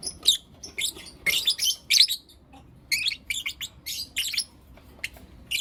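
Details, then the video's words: Blue opaline and lutino opaline lovebirds chirping in the morning: clusters of sharp, high, scratchy chirps in quick bursts, separated by short silences. "Lovebird Chirping Sounds and Call Sounds From Blue Opaline & Lutino Opaline"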